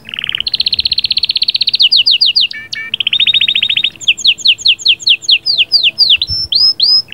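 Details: Canary in full song, sahsahat and batbatat style, meant to prepare the female: a long rapid rolling trill, sharply downslurred notes, a second fast trill, then sweeping whistled phrases.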